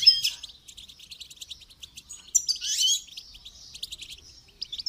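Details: Goldfinch singing during song training: quick, high twittering chirps and short trills in a continuous run, with a louder burst of jumbled notes midway; otherwise quiet background.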